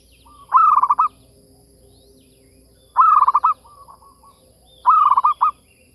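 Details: Three bouts of quick, rolling coos from a zebra dove, used to lure other doves. Each bout is a tight run of clipped pulses, with bouts roughly two seconds apart and a quieter trailing phrase after the second.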